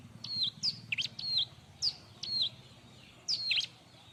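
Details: Bar-winged prinia (ciblek) in busy, noisy song used as a master recording to train other birds. High, sharp chirps that dip and warble, given in pairs and short clusters against a low rumbling hum.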